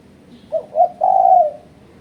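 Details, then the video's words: Spotted dove call used as a lure to challenge rivals: two short low coos, then one longer, steady coo in a single phrase over a quiet background. "Suara Burung Terkuku Menekan Lawan Ampuh untuk Pancingan"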